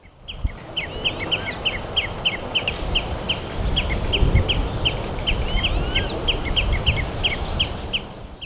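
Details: In Amsterdamse Bos, a young Common Redshank calls incessantly for food while a parent watches closely from a fence: short, high, downslurred piping notes about three times a second, over steady low rumbling background noise.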